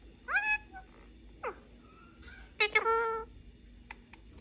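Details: A male ring-necked parakeet kept as a pet chatters at a mobile phone, talking in Persian and English: short, sharply rising harmonic syllables, a quick upward squeak, then a clustered burst of voiced notes and faint clicks.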